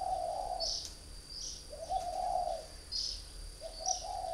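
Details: Spotted dove of northern Vietnam, kept caged as a three-year decoy, giving long, wavering low coos, while short high chirps sound between phrases.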